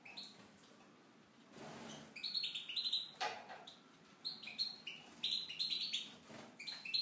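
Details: Caged Tunisian goldfinch in an aviary starts after a quiet pause into rapid tinkling, high-pitched twitters in bursts of several notes, with a few dry clicks and rustles in between.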